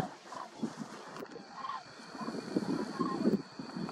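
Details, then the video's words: Flock of common cranes passing overhead at sunset, late September 2021, in a nature reserve in western Belarus. A few short, rolling trumpet notes come about once a second over background voices and low rumble. "Common Cranes: Flight in sunset"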